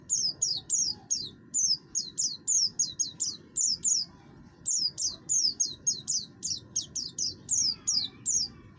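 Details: Caged oriental white-eye, buxtoni form, singing steadily in a harsh voice used to draw other birds into song; fast series of high, down-slurred chirps, nearly continuous, over a low hum.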